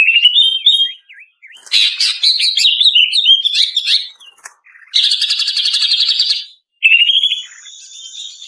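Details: Lure recording of a female greater green leafbird for training caged birds: tumbling whistled notes, then a dense fast twittering passage, a long rapid buzzy trill, and closing rising whistles over a faint high hiss.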